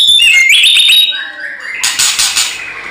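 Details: White-rumped shama singing in fighting mode: a high slurred whistled phrase, then lower notes and a burst of harsh, scratchy, high chatter.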